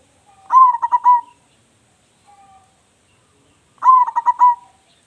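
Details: A local zebra dove singing actively with a big voice, used as a lure bird: two rolling cooing phrases about three seconds apart, each opening with a rising note and breaking into several quick pulsed coos.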